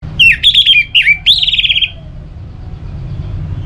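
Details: Orange-headed thrush, caged, played to stimulate singing in rainy and dry seasons, from Singaraja, North Bali: loud clear whistled phrases, slurred notes then a rapid run of trilled notes around mid-high pitch, followed by quiet low hum.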